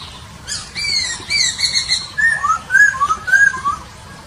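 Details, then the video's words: In Nabire, Papua, on 26 December 2021, a Papuan poksay opens with coarse nasal, harmonic notes and follows with a rapid chain of rising and falling whistles, about two per second. "Burung Poksay Papua"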